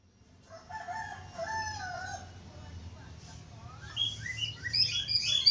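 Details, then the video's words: Budgerigar chatter used as a lure sound to prompt other budgerigars to sing: a lower, wavering, crow-like call, then bright, rapid, scratchy chirps and squeaks tumbling quickly. "Suara pancingan falk /parkit australia cepat gacor"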